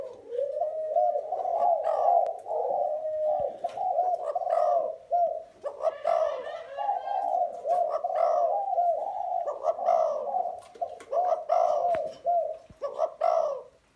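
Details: Spotted dove (Spilopelia chinensis), song.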